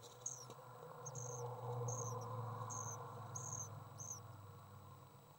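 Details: Young common swifts during feeding, May 30th 2012, giving six short, high, thin trilled chirps roughly every half second to second, over a broad rushing low-mid noise.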